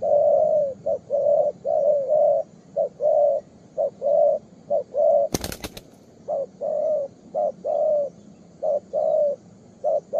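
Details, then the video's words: Young spotted dove with a developed song, calling very vigorously at its perch. Deep, mellow coos in quick, uneven runs of short and longer notes, about one a second. One sharp crackling burst midway, with a faint steady hum behind. "Đồng pha cườm 2dây.Clip444/ Chim tơ có bài, đánh ngay cội quá sung"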